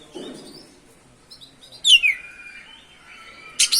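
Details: Oriental magpie-robin (kacer) in continuous 'ngerol' song, used as a lure to rouse other magpie-robins: a soft opening, then a loud whistle that swoops down and levels off, and a sharp scratchy burst at the end.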